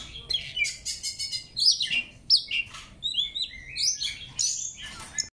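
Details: Oriental magpie-robin song in a training recording: a rapid, varied run of high whistles, trills and sharp chipping notes, each phrase changing pitch, with short pauses between bursts.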